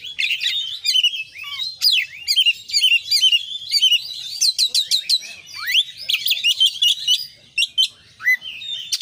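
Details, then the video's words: Oriental magpie-robin singing the full isian (fill-in) style, called gacor konslet: a continuous torrent of shrill whistles, quick downward slurs and clicking trills, phrases changing every second, loud and unbroken for the whole stretch. "kacer gacor KONSLET full isian"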